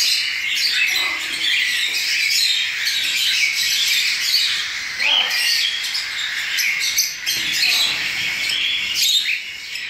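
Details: Cockatiel chicks begging during hand-feeding with pap, fed three times daily at this age. Harsh, buzzing squawks from several young overlap continuously, with short louder bursts.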